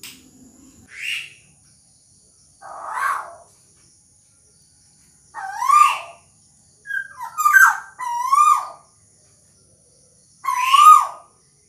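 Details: Little bronze cuckoo calling even while being held. Scattered loud, harmonic whistled notes, some rising then dropping sharply, others short and blurred, coming irregularly with gaps of one to two seconds.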